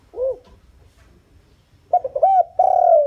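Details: Spotted dove used as a lure bird, calling to attract wild doves. A single arched coo and a pause are followed by two short notes, a rounded coo, and a long, sustained, slowly descending mellow note.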